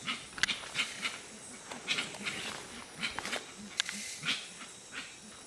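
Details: Several Gray-winged Trumpeters at Tiputini Biodiversity Station, Ecuadorian Amazon rainforest, give short muffled low hoots in quick succession, repeated throughout, mixed with crisp crackling clicks and rustles close by.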